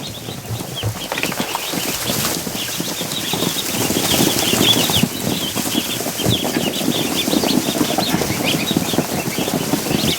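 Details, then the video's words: Several domestic goslings, including a Chinese goose gosling, give a steady stream of high, thin peeps, roughly three a second, over rustling and scuffling, in mid-June during a duck hatching day; their sound differs from ducklings'. "That noise you're hearing, that's the goose. Or goslings, I should say. They have a completely different sound."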